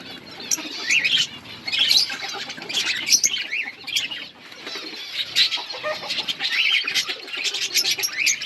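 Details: Budgies of an outdoor colony chirping in a bright, crowded chorus of quick warbling notes and sharp squeaks, rising and falling in bursts throughout.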